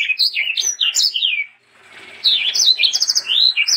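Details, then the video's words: Sanger bird singing actively, used as a tutor and lure for young sangers: rapid, varied high whistled and chirping phrases with twittering slurs, a brief pause midway, then another bright burst. "BURUNG sanger gacor untuk masteran dan pancingan sanger muda"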